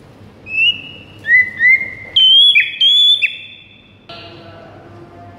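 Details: White-rumped shama song played in the morning as a training recording for caged birds: a few clear whistled notes, some held flat and some rising, separated by short gaps, then a brief harsher burst near the end.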